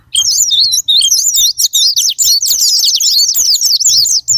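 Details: Japanese white-eye chattering as a sparring-partner lure to trigger song: a packed run of sharp, rapid, wavering high notes, almost continuous, with brief dips in loudness and a soft low hum.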